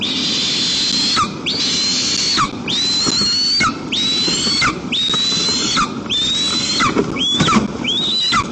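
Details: White-tailed eagles, a whole family of three, visit their nest in daytime on 1 September 2022 in Tatarstan's Almetyevsk region, Russia, in windy weather. About eight long, drawn-out high whistles each hold level and then drop sharply at the end, roughly one per second.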